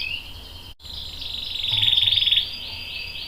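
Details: Canary in song, with a young male answering: a thin whistled tone after a brief break swells into a rapid, buzzy trill, then ends in a string of short wavering whistles.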